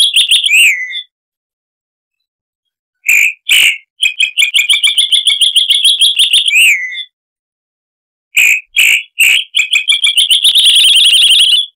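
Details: Chalk-browed Mockingbird (Mimus saturnin) singing a harsh song, used as a tutor recording for cage birds: loud rasping notes with slurred down-swept phrases, then rapid runs of repeated chattering notes, separated by silent pauses; no other sounds.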